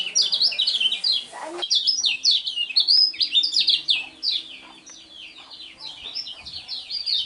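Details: Lemon-bellied white-eye, described as a unique-voiced champion contest singer, delivers a long, rapid chattering song of high, slurred downward notes packed closely together, ending in quicker twittering.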